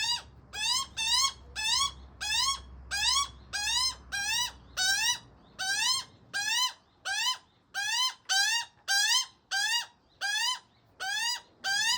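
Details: Juvenile Australian magpie begging from its father indoors-quiet surroundings: a steady run of about twenty-two loud, nasal, rising squawks, each rich in buzzy overtones, repeated roughly every half second.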